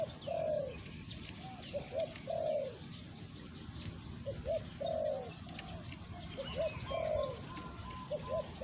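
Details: Decoy-hunting scene with a caged spotted dove and a wild territorial bird. Overlapping low coo phrases, short notes leading into long rolling coos, roughly every two seconds. Faint higher chirps from other birds.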